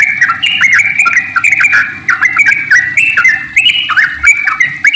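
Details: Sooty-headed bulbul singing a long, fast 'ropel' song meant to spur other bulbuls into song; continuous chattering stream of liquid, looping notes with little pause.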